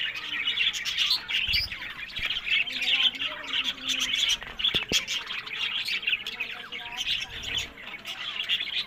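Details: Many caged budgerigars at a breeding site in Larkana, Sindh chatter nonstop in high, scratchy twitters and quick chirps, punctuated by a couple of sharp clicks and a brief low thump.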